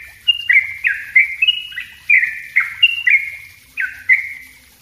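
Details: Lure and master recording of a yellow-vented bulbul (trucuk) in tight 'ropel rapat' song: short, liquid, downward-sliding notes in uneven clusters, sounding chattery and bright.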